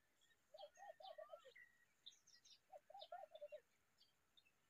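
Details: Common babbler raising a chick: two bursts of five or six quick, low, bubbling notes about a second and a half apart, with thin higher chirps and whistles scattered between them.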